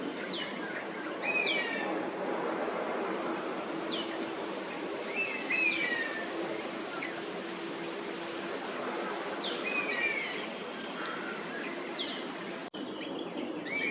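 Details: Wintering Oriental honey buzzard perched in Singapore, calling again and again as resident Oriental pied hornbills take over its roost. Clusters of falling, ringing whistles recur every few seconds above a steady hiss, with a brief dropout near the end.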